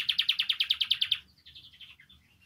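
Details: Canary song used to get canaries singing: a loud, evenly spaced run of about ten rapid pulsed notes, followed by softer, looser twittering.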